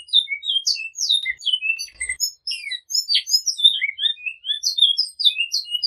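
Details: Great-billed seed-finch singing the flauta song style with repetition: a dense run of short, clear whistled notes, many sliding up or down, packed closely together at high pitch with no background sounds.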